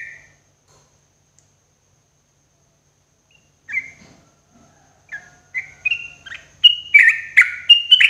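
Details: Sooty-headed bulbul singing in the morning for cage-bird therapy: after several seconds of near silence, short slurred whistled notes start, then come faster and louder, each phrase stepping slightly higher with bright bubbly ends.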